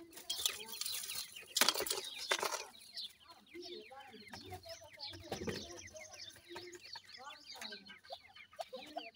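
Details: Grey francolin, locally called teetar, a mother feeding her chicks while the chicks call to her: short high downslurred peeps mixed with low soft clucks, broken by loud rustling bursts of noise.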